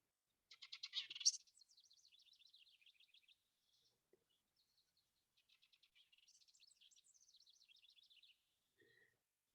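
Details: House Wren (Troglodytes aedon) giving two bubbly, high-pitched song bursts of fast chattering notes, buzzes and repeated notes, each about three seconds, with a short note at the end; house wren song.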